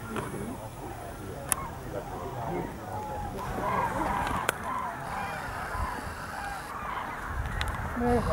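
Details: Common cranes gathering to roost at the Rehdener Geestmoor nature reserve near Diepholz, Germany, on 8 November 2014: many overlapping trumpeting and rolling calls from a distant flock, with people talking nearby and a couple of sharp clicks.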